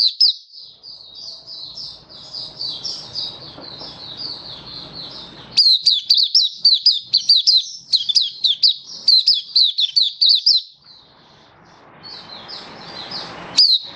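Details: 'Buka sing' display by an oriental white-eye, 24 February 2023: soft high warbling over a low rumble, then five seconds of loud, rapid, sharply slurred chirps, ending with softer notes and broad background noise.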